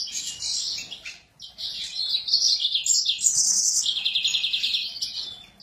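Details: Sura singing in an excited state: a dense, rapid, high twittering song of buzzy trills and sharp chirps, with one brief pause near the start before a long run of fast repeated notes.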